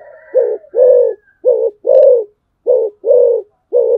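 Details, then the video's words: Spotted dove kept as a decoy, calling rapid low coo pairs, a short note then a longer hollow one, repeated about three and a half times with little pause. "tiếng chim cu gáy mồi"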